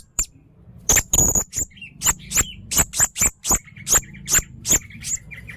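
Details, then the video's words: Blue-crowned hanging parrot singing very actively: a rapid run of sharp, explosive high notes topped by thin whistles, about one per second, with softer chirps between them and a low steady hum underneath. "burung serindit leher merah sangat gacor"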